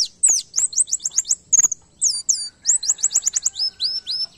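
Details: An oriental white-eye sings a fast, high, canary-like run of downslurred chirps and bright trills, a canary-style song it has been trained to learn.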